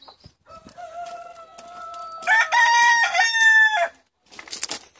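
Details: Longford, Ireland, February 2016: a flock of seventy chickens let out for the day. A long steady tone slides into a loud, rich, ragged crow that lasts over a second, then scuffling noises follow.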